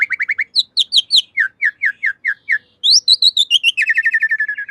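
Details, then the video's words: Black-winged myna master recording for teaching caged birds: quick series of short whistled chirps, paired slurred notes repeated in groups, ending in a fast descending rattle, clean background. "Masteran Jalak Suren Anti Stress. Burung Pasti Nyaut"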